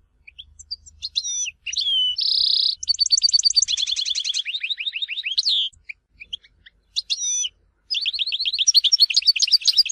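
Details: European goldfinch singing in Tizi Ouzou, Algeria: whistled slurs, a buzzy held note, long runs of rapid evenly repeated chirps, a pause, then renewed fast twittering trills.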